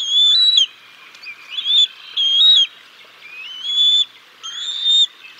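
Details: Bald eagle nest at Decorah North on 6 May 2022 during a fish meal for the chicks, until the mother takes over: five separate high whistled calls, some rising then dropping, spaced by about a second of quiet.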